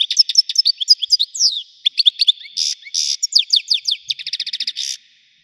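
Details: Continuous, varied widani-style European goldfinch song: tumbling liquid chirps, twanging slurred notes and buzzy bursts, ending in a fast even trill.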